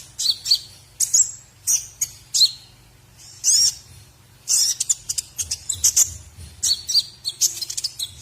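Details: White-rumped shama song recorded as a training recording to teach other birds: bursts of high, sharp whistled and chattering phrases with brief gaps between them, accelerating into a denser run of notes in the second half.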